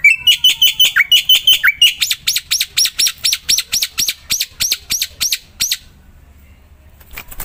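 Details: Black-winged myna (Javan white starling) song meant to prompt other mynas to sing: whistled, chattering opening phrases lead into a fast, steady series of about twenty buzzy rasping notes, then quiet.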